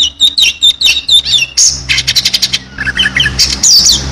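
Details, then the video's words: Oriental magpie-robin singing energetic filled song: a run of short repeated whistled notes, then harsh buzzy rattles and lower chirps, ending in bright high twitters. "kacer gacor full isian"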